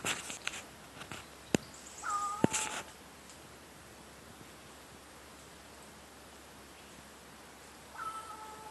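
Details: Crow imitating a cat's meow at McDonald Beach Park, Richmond, B.C., Canada; two descending two-tone mews some six seconds apart, preceded by handling knocks, clicks and rustling.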